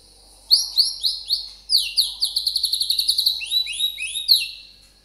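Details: Champion Oriental magpie-robin used as masteran material, singing high downslurred whistles that speed into a fast stuttering run of repeated notes and then slow again into single slurred phrases.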